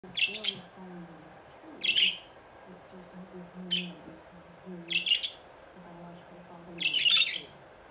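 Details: Several budgerigars going wild in the morning: sharp, high chirps in short bursts, repeating about every second or two.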